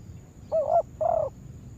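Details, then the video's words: Lure spotted dove used for trapping in a yard, heard in a brief burst of two soft, slightly wavering coos, the second one longer, against a quiet background. "Cara mengajar denak burung terkukur pikat jebak dilaman.."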